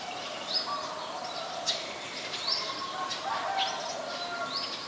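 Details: Eurasian tree sparrows (Passer montanus) in Ubon Ratchathani, Thailand, 22 November 2019. They give short, bright chirps and tweets at irregular intervals over a steady hiss, with faint other bird notes.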